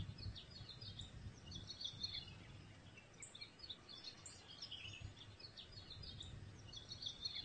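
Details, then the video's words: A wild creamy-bellied thrush at Praia da Gamboa, Santa Catarina, Brazil, sings thin, scattered high chirps and short warbled notes, fairly faint over a steady low rumble of outdoor noise. "CANTO SELVAGEM DO SABIÁ-POCA"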